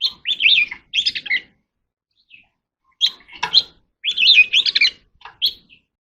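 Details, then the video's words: Oriental magpie-robin in contest song with quick, jumbled phrases of twittering whistles and scratchy notes, repeated after brief pauses. A faint rustle sounds midway. "chòe than hót sung quá | chòe than hót đấu"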